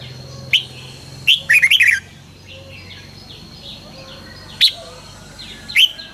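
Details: Red-whiskered bulbul singing in the morning as song training, in a fast, fiery style. Loud clear whistled notes rise and fall, a quick four-note burst follows, then single notes. Faint background bird calls are heard throughout.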